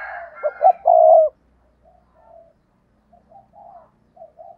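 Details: Spotted dove kept as a decoy bird, giving one loud stuttering coo phrase, a few quick notes and then a long throaty coo, followed by soft, low, widely spaced cooing notes.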